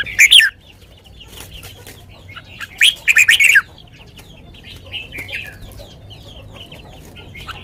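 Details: Red-whiskered bulbul singing a sweet song in the Thai lak wai style: two loud, quick warbled phrases of rich slurred notes, the second a run of four bright bursts, over constant faint chirping from many other birds.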